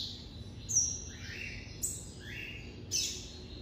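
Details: White-collared seedeater kept by an amateur breeder, singing in the classic style: clear whistled notes sliding downward, each phrase about a second apart, with sharp high accents starting each phrase over a quiet low hum.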